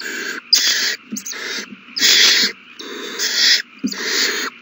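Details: Owl chicks calling while fed on March 27, 2020, every baby eating well: overlapping raspy hissing screeches in uneven bursts, several callers, with faint clicks between.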